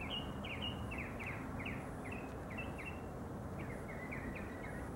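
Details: Early-morning mockingbird song from a neighbor's tree roughly 50 yards away: rapid series of quick chirped notes, repeated in clusters, some rising and some falling, with a constant low rumble beneath.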